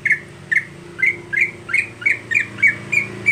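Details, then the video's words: Monotonous everyday singing of a greater green leafbird kept for song contests: about ten loud, harsh, slightly slurred notes repeated every third of a second, steady and unvaried, over a low background hum. "Cucak Hijau Harian Monoton"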